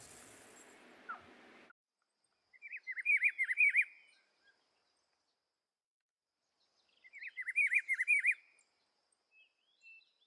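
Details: Rufous-browed peppershrike from the Atlantic Forest: two separate warbled whistled phrases, each about 1.5 seconds of rapid up-and-down notes, spaced about four seconds apart, with faint high chips and a short noisy patch at the start.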